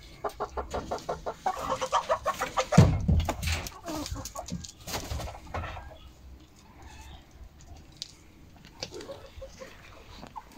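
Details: Hens on 10 October 2022, a Monday yielding eight eggs; a rapid, rhythmic series of loud clucks, about three per second, swells into a noisy flurry, then quieter, scattered clucks follow.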